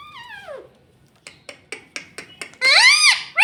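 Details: Pet rose-ringed parakeet: a descending, voice-like harmonic phrase, then a run of about eight sharp clicks or taps. A loud, arched, bright syllable follows, with another rising note at the close.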